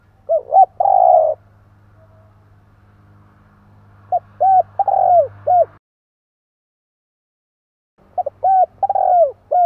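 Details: Spotted dove calling to draw in wild birds, three coo phrases with short pauses; each has quick opening notes, a drawn-out rolling coo and falling end notes, with a low hum under the first two phrases.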